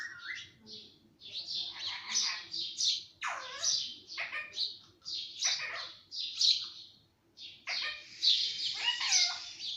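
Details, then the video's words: Talking green parrot at home delivers loud, harsh, squawky word-like bursts, some with rising and falling inflections, in uneven phrases spread over about ten seconds. "ye mittu sab bolta he - parrot talking everything - talking parrot"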